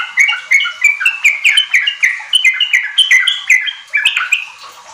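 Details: Sooty-headed bulbul singing nonstop to lure young captive bulbuls into rapid 'ropel' song: dense chains of bright, slurred whistles, each phrase rising then falling, about four notes per second, clean background.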